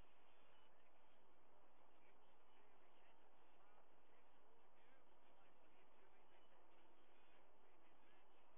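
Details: Nest camera recording of white-bellied sea eagles, an adult feeding two eaglets fresh fish, 21 August 2022: rapid, repeated nasal honking notes, fairly regular, set against constant low hum and hiss.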